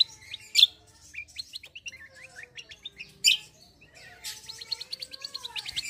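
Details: Black-winged myna singing a rolling fighting-style song: quick, high, twittering notes strung into a chattering run, with two louder sharp calls and a dense trilled rattle at the end.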